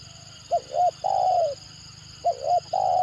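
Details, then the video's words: A 'gagap' or stuttering spotted dove, said to make other birds respond vigorously, gives two phrases: a quick note, a rounded double coo, then a long drawn coo, with a constant faint whine above. "Mendengar Suara Tekukur Gagap Ini Burung Lain Pasti Responnya Gacor"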